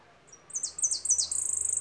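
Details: Goldfinch song phrase of quick downward-slurred high notes, three or four in a row, breaking into a rapid, even, buzzy trill held high.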